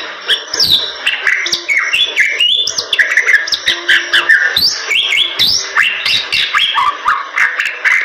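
A Bali myna sings a nonstop, varied stream of clear whistles, sharp chirps and harsh chattering notes, rising and falling quickly with barely a pause.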